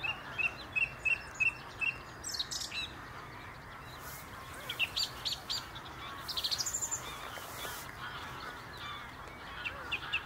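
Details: A song thrush singing from the top of a tree near the Inn River repeats a short clear note four times quickly, then moves to varied whistled and scratchy phrases over a steady background hiss.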